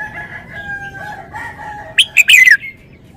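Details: Red-whiskered bulbul, a caged songbird, gives a wild-style song (เพลงป่า). A single short, loud, warbled phrase of quick rising and falling notes comes late, after steady faint tonal sounds in the background.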